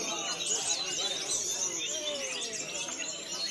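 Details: Caged Javan whistling thrush, a newcomer bought online and readied for song contests, pours out a dense run of high, twittering chirps and thin slurred whistles, with fainter lower notes and background chatter.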